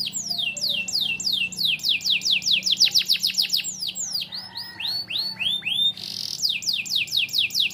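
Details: Caged canary with lovebird phrases in its song, played to teach young canaries: fast series of sharp downslurred whistles, then hooked rising notes, before the descending strokes resume.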